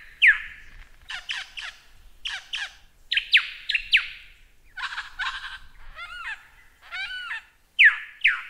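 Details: Lyrebird singing for a masteran recording: loud downslurred whistles, clusters of quick chattering notes, and two bubbling warbled phrases with wavy repeated notes.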